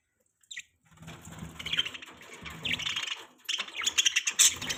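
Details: Pet budgerigars chirping happily: a single short note, then a stretch of fluttering wings mixed with steady squeaky chatter that grows louder toward the end.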